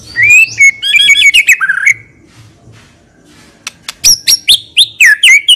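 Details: White-rumped shama in steady, full-repertoire song, suited as a lure bird: bright high whistled phrases tumbling rapidly, a short near-silent gap, then loud sharp repeated notes dropping and rising.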